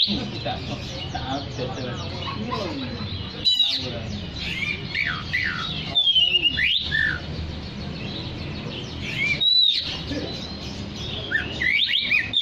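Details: Oriental magpie-robin singing vigorously, played to call other magpie-robins: a dense, continuous run of varied whistles, rising and falling sweeps and harsh notes, broken by a few short pauses, over a steady background hiss.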